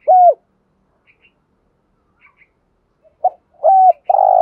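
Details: Decoy spotted dove cooing at dawn: a single mellow coo, a long silence, then a short note and further coos building up near the end.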